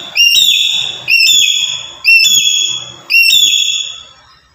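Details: Black-capped lory, an active bird kept as a trapping lure: four strong whistled notes about once a second, each with an abrupt start and a long fading tail, over faint low noise.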